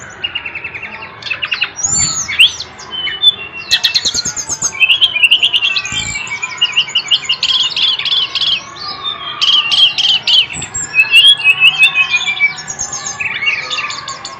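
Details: Bird singing loudly and continuously, a fast varied stream of high whistles, trills and buzzy chattering phrases, with sweeping slurred notes and rapid repeated chips, briefly pausing around the sixth second before resuming.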